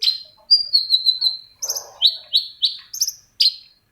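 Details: Long-tailed shrike song for prompting other shrikes: a long wavering high whistle, then a run of short, falling, buzzy chirps repeated roughly every third of a second.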